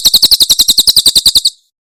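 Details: Tembakan Cililin song of a Javan prinia for tutoring caged songbirds: a quick string of bright, piercing high notes, around sixteen in a second and a half, ending abruptly.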